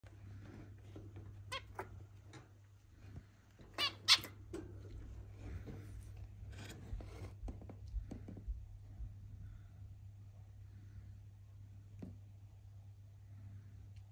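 Zebra finch giving brief, buzzy, nasal notes in scattered bursts during courtship, over a low steady hum.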